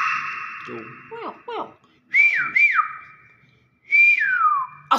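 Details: Young hill myna giving loud, clear whistles: long steady tones, then two quick upward flicks and a longer down-slurred note; a voice-like sound is also heard.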